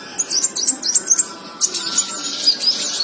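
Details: Ruby-cheeked sunbird, called kolibri wulung in Indonesia, in a masteran recording: very high, thin chirps and short twittering notes tumbling in quick, irregular succession, over a faint steady background hum.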